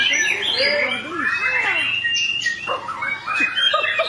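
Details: Captive-tutoring song of a white-rumped shama: curving slurred whistles, some swooping low, mixed with quick chirps and high sharp notes in a busy, lively stream.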